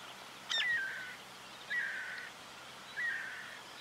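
Guira Cuckoo song: three calls about a second apart, each a quick falling whistle slurring into a harsher, drawn-out note, over faint outdoor hiss.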